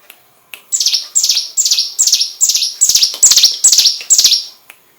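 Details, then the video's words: Hill prinia song used as a training song for magpie-robins: a fast series of high, buzzy descending notes repeated about twice per second, each phrase a bright chattering burst, steady and loud over a quiet background. "Burung prenjak gunung master tembakan murai batu"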